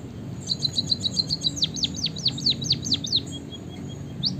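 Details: White-headed munia, known as emprit kaji, singing: a rapid chatter of high notes leading into a series of clear downward-slurred whistles, ending with a faint thin note.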